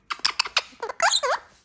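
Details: Pet Cuban amazon indoors, grumbling in displeasure after its cage was taken away and it was left to wait on a bed: a run of short sharp clicky notes, then several curved, harmonic chattering squawks.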